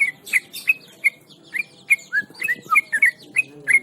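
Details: Hand-held, tame Yellow-vented Bulbul (trucukan) in lively nonstop song. Rapid bright chirps come about three per second, mostly level whistles with a few lower swooping notes, over a soft background murmur.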